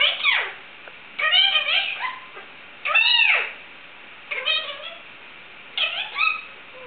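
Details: Pet Indian ringneck parakeet meowing like a cat: five drawn-out, downward-curving meow calls with rich harmonics, roughly every one and a half seconds.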